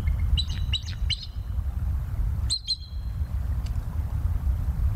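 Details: Bald eagle at Decorah on a live nature cam, 21 November 2022, 19:20: a few sharp, high piping notes early, then a brief shrill double note, over a steady low background rumble.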